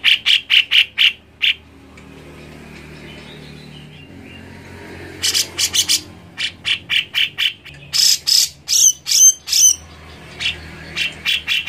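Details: Cucak jenggot, the grey-cheeked bulbul, played to prompt a silent bird to sing: rapid series of short, bright chips, a pause with a low hum, then renewed chipping mixed with loud harsh notes and faint whistles.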